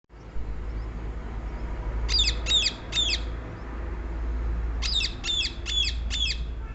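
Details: Rose-ringed parakeet giving two bursts of harsh, shrill squawks, three then four in quick succession, each a sharp descending screech, over a steady low rumble of background noise.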